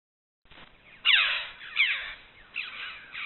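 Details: Red-billed choughs recorded by camera trap in limestone canyons, giving harsh, strident downslurred calls repeated about every three quarters of a second.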